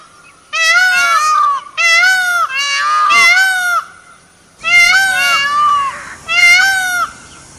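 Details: Loud, ringing calls from a peacock roaming a forest: five strident, harmonic wails in under eight seconds, each bending upward and down, separated by short quiet gaps.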